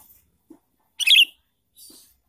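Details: Sooty-headed bulbul, a lively lure recording for bird trapping: one short bubbly, warbled burst of notes in the middle, with faint low taps before and after and a soft hiss near the end.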